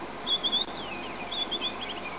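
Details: At Djuma, South Africa, a White-browed Scrub-robin perched in a buffalo thorn sings to claim territory and court females: high clear whistles, a pair of sharply slurred notes, then more whistles and fading trills.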